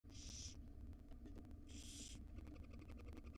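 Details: Wild barn owlets, five young in a nest box, being fed breakfast by their mother: two harsh, broadband hissing bursts about half a second each, a second apart, over a low steady hum with faint ticking.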